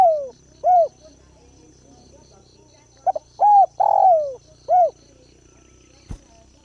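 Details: Decoy spotted dove cooing to draw in wild birds: end of one phrase, then two stutter notes, a clear coo, a long rough falling coo and a short coo, followed by a sharp click, over low hum and insects.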